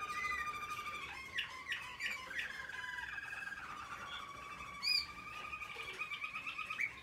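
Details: American Singer canary in training, from 2021, singing a busy stream of trills and steady tones, broken by a sharp high upward chirp midway, then quick pulsed notes.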